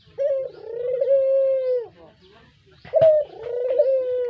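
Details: Brown puter dove, a pet bird used as a lure, gives two long coos: each is a mellow, steady, slightly falling croon, the second opening with a sharp accented note. A soft low rumble lies beneath.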